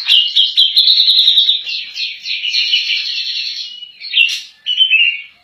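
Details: Grey-cheeked bulbul (cak jenggot) in constant 'nembak' singing, intended as tutor audio for other songbirds: a long, high, buzzy trill that slowly lowers in pitch, ending in two short, emphatic bursts.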